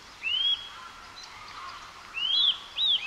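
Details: Japanese recording of a Eurasian nuthatch: clear rising whistles, one near the start and two more in quick succession after a short gap, over a soft hiss of background noise.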